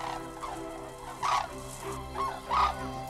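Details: Red-crowned cranes, a family group just arrived from Siberia to winter in the Cheorwon plain near the DMZ, Korea, give a few loud, rolling trumpeted notes, three bursts within about three seconds, over a steady low musical drone.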